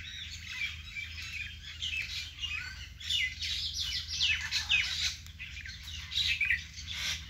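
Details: Several birds calling in a vegetable garden, a dense mix of quick high chirps, short rising and falling whistles and twittering that builds and fades in waves, over a faint low background hum.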